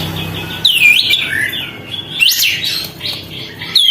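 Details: Sooty-headed bulbul opening its tail while it sings to provoke other birds: slurred whistles that dip and rise, a soft lower note, then a sharp upward whistle and a final falling one.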